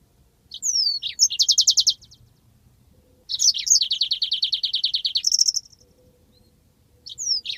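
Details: Yellow-fronted canary long rolling song as a master for training birds: whistled slurs then fast pulsed trills, including one extended two-second buzzy roll, with faint low background noise.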